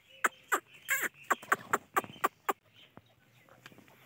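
A chachalaca gives a run of loud, harsh, raucous notes, about four per second for two and a half seconds, then fades to faint background noise.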